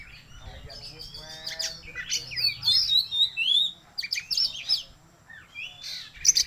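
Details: Oriental magpie-robin in full song after being sick: a varied run of high, sharply slurred whistles, buzzy chatters and quick rising notes, delivered in uneven bursts.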